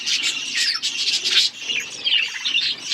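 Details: A loud, busy budgie flock chatters while eating: scratchy, squawky chirps overlap without a break.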